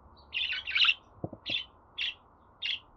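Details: Pet budgerigar chirping: a cluster of sharp, bright chirps followed by three single chirps spaced about half a second apart, with faint low knocks in the background.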